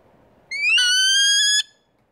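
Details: A New Zealand falcon at Wingspan near Rotorua, New Zealand, in October 2016 gives one drawn-out, rich, high whining cry lasting about a second, steady in pitch with a slightly rising start. No other sounds.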